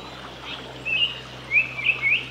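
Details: A male Japanese paradise flycatcher singing in Ōiso, Kanagawa, Japan, on 23 June 2020, gives a few short, high, slightly rising notes, four in about two seconds, over a faint steady hum.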